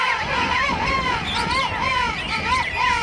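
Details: Thousands of King Penguins crowded at Right Whale Bay on South Georgia Island, recorded Christmas morning 2008; a clear warbling call with repeated undulating pitch sweeps, roughly one per second, over a background of colony chatter.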